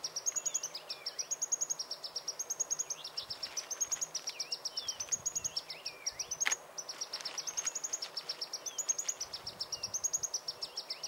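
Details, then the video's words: Green-tailed Sunbird (Aethopyga nipalensis), India, gives rapid, high, thin ticking notes in a steady stream, about six per second, with a few softer twittering notes below and a faint low hum. "The Green-tailed Sunbird (Aethopyga nipalensis)"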